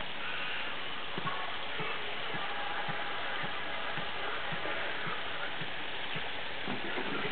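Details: Steady broadband hiss with faint, evenly spaced low thumps and no clear animal voice.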